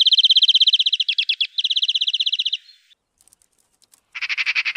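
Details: A European greenfinch (Chloris chloris), a Russian forest-edge bird, sings fast, even trills of ringing notes at about four per second, pausing briefly before starting again.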